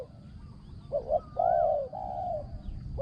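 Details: Decoy spotted dove, kept for luring wild doves, with a small, resonant voice and fine phrasing. A soft double coo is followed by two long, smooth, low coos, and a new phrase begins at the end. Constant low background rumble and a thin high hum.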